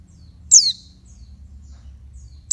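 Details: A female oriental white-eye calls to arouse males, one bright, high note sliding steeply downward, followed two seconds later by the start of another; faint soft chips and a low hum in the background.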